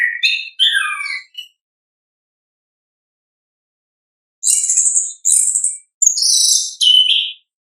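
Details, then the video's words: Orange-headed thrush ngeplong song from nature: a cascade of descending warbled notes, several seconds of silence, then a run of loud buzzy high phrases ending in a lower slurred whistle. "ANIS KEMBANG GACOR, pancingan suara asli alam anis kembang"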